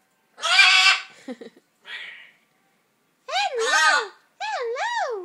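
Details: Pet macaw trying to mimic human speech, very fuzzy: a harsh raspy burst, a few clipped syllables, then wavering, warbling tones that rise and fall like spoken words, ending in two sing-song vowel-like phrases, indoors.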